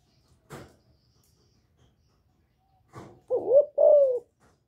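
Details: Female spotted dove calling to rouse males; scattered knocks, then a pair of deep, mellow coos near the end, the second held longer.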